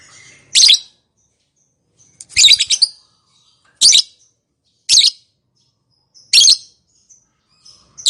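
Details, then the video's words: Lovebird calling to make silent lovebirds respond: piercing, scratchy high chirps, six bursts in eight seconds at uneven intervals, with quiet between them. "Suara Burung Lovebird, Memanggil, Yang Bisu Langsung Nyaut, Ngekek Panjang Gacor Respon Langsung."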